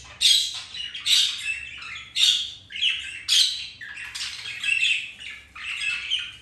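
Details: Pet budgerigars mating, flirting and playing indoors; a run of harsh, scratchy chirps and squawks high in pitch, bursts roughly once a second with short gaps between them.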